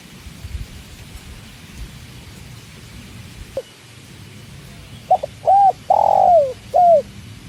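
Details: Spotted dove (tekukur) with the sound of water: after a steady watery hiss, a few soft low coos, the longest drawn out, slightly falling.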